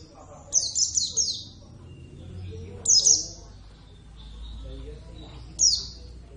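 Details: Caged Javan Oriental white-eye, subspecies javanus, in lively song: a fast trill of three piercing high chirps, then two single descending notes after gaps of over two seconds; quiet murmur behind.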